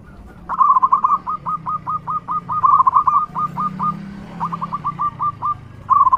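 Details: Loud local zebra dove used for luring other doves, singing long runs of short clipped notes in quick steady succession, broken by brief pauses, over a low background hum.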